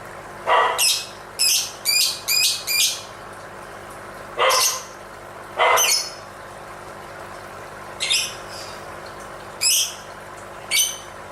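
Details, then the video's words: Dancing lovebird calling: quick runs of shrill, buzzy high chirps, then separate louder broadband squawks reaching lower down, spaced one to two seconds apart, with steady low hiss behind. "Suara indah burung lovebird sambil menari nari"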